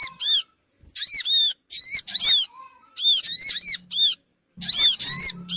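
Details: Lure call of the Sogon bird meant to bring small birds in quickly: piercing high squeaks with rich overtones, in closely spaced bursts of two or three, and a faint low drone.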